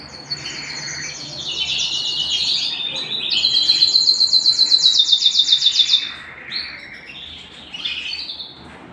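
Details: Singing canary at home: a long sequence of rapid pulsed trills, one loud rolling trill in the middle, then scattered chirps trailing off.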